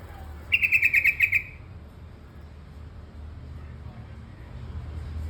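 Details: One quick burst of about eight rapid, evenly spaced bubbly notes from a bulbul called terucukan kebo, then near silence with a low hum.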